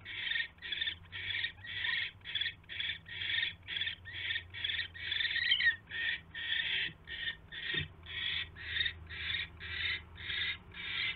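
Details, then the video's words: Owls at the nest around a mouse delivery on a January 2016 evening, about 8 PM: a long run of rasping, noisy hisses pulsing roughly twice per second, with one sharp click partway through. "Mouse Delivery"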